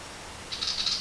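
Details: Fledgling Willie wagtails, out of the nest for the first time in a lemon tree, give a short burst of high, raspy, hissing calls starting halfway through, over a quiet background hiss.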